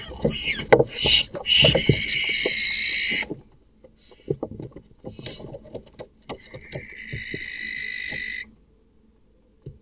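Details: Barn owl nest box at night, where an unrelated male kills the chicks. Loud jumbled screeches and knocks open the scene, then scattered taps, then a steady thinner hiss lasting about two seconds before silence.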